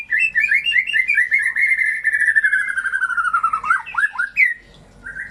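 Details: White-rumped shama song to rouse shamas that have gone silent or dropped form: a long rapid trill of whistled notes sliding slowly downward, followed by a few sharp upslurred notes and a final whistle.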